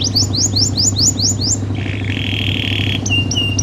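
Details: Singing canary, kept as a model to teach and stir other canaries to sing: seven quick rising whistled notes, then a flat buzzy trill, then a few sharp upward-then-level whistles, with a constant low hum behind.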